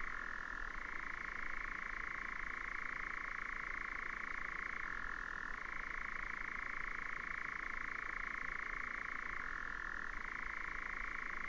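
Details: European nightjar churring in 2019, a long rattling trill that drops briefly in pitch about every four to five seconds before returning to the higher reel.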